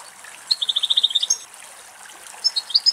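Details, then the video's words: Male European goldfinch feeding on a dried thistle somewhere in Greek nature; a rapid string of about ten high, even notes around half a second in, then a few sharp twittering notes near the end, over faint background hiss. "Καρδερίνα Κελάηδημα - European goldfinch song"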